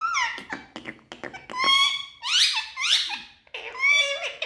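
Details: Happy, speaking Indian ringneck (rose-ringed) parakeets kept in a small indoor room; one chatters in bursts of harsh, squeaky, speech-like phrases with sharp clicks and rising screechy notes.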